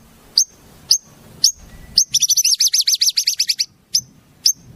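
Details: Shama tutor recording with wild-bird imitations: sharp high chips repeated about every half second, broken by a fast run of rapid, high trilled notes lasting over a second.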